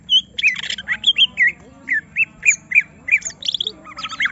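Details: Greater green leafbird in an agitated state, pushed to display its full repertoire, repeats squawky rising-falling whistled notes about three times per second, ending in a rough rapid chatter.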